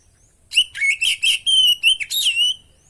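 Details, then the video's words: Oriental magpie-robin (kacer) singing vigorously, used as a master and lure recording. Bright whistled and chattering notes around a steady high pitch, delivered as a rapid run of about eight phrases in under two and a half seconds. No other sounds intrude. "masteran pancingan burung kacer gacor isian bongkar"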